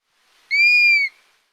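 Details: Dusky-capped Flycatcher giving a single clear, overslurred whistle (highest in the middle) about half a second long, rising slightly then falling at the end, a simple whistled call; nothing else heard.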